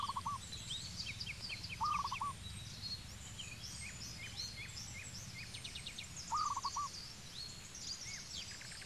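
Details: In Cambodia, a zebra dove repeats short trilled coo bursts of four or five fast notes, three times at uneven intervals, amid frequent high chirps and twitters from other birds and low background noise.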